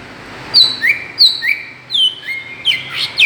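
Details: Provoking lure call of a greater green leafbird, loud whistled couplets of a high falling note and a lower rising note, repeated steadily and ending in a tumbling flourish.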